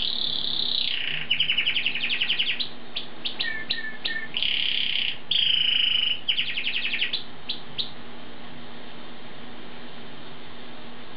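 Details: Vigorous Asian pied starling song: mixed whistled notes, rapid stuttering clicks and buzzy trills in quick bursts for about eight seconds, then quiet except a faint low hum.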